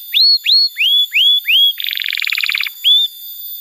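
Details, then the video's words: Canary song for teaching young canaries and prompting silent birds to sing: five clear upslurred whistled notes about half a second apart, then a fast buzzy rattling trill and one last whistle. "Pancingan Suara Kenari Gacor‼️ Ampuh untuk Masteran Kenari Muda dan Terapi Kenari Macet Bunyi"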